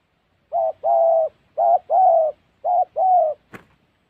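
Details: A spotted dove recorded at a trapping spot in Gia Lai's Central Highlands repeats three short-long pairs of soft, low coos at an even rhythm, followed by a single sharp click.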